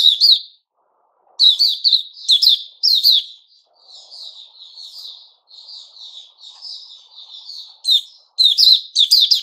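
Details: On 29 August 2021 a white-rumped shama, puteh raja, sings a short chirp burst, pauses, gives strong falling-note phrases, murmurs softly for several seconds, then ends with loud rapid chirps.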